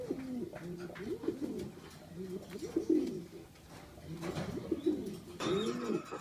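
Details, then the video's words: Contest-quality fancy pigeons cooing in a breeder's loft in Lawang, Malang Regency, Indonesia: low, rolling bowed coos repeated in short bursts, with room noise and a few sharp knocks. "MERPATI HIAS KUALITAS KONTES"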